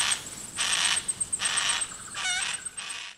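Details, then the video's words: Juvenile Yellow-tailed Black Cockatoo in wet eucalyptus forest, far south Tasmania, 1 March 2022, giving three rough, rasping calls about half a second long, plus a short tonal note near the end over constant high background hiss. "Juvenile Yellow-tailed Black Cockatoo calling"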